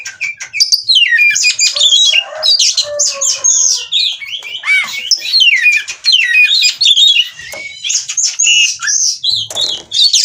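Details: Oriental magpie-robin, locally called kacer, caged from a breeding farm and in breeding condition, pouring out a loud continuous rich song of fast whistled slurs, trills and varied phrases with scratchy notes, nearly without pause.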